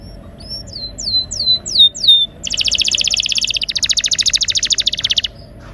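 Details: Canary singing a rolling song used to stimulate silent canaries: about six clear descending whistled slurs, then a long rapid pulsed roll of rattling notes lasting nearly three seconds.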